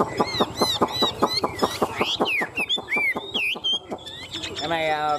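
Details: Caged Chinese hwamei, one of a pair, giving fighting song: a fast run of sharp clipped notes, then looping whistled phrases rising and falling, closing in a rough buzzy burst.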